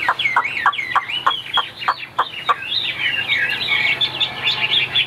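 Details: Caged Chinese hwamei in Vietnam, noted for high singing, opening with repeated sharp downward strokes about four per second, then a tumbling jumble of scratchy, twisting whistles.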